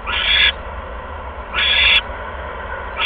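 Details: Owl delivering a second mouse to its nest on 16 February 2015 at 8:38 PM; loud raspy hissing screeches roughly every 1.5 seconds, two full and one starting, over a low hum.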